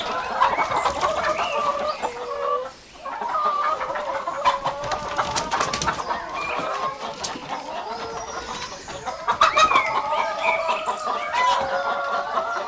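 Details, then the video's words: Rooster crowing among chickens and rabbits foraging for food in the grass; long, drawn-out harmonic calls held for several seconds with a brief break, with wild birds chirping faintly in the background. "Rooster crowing sound"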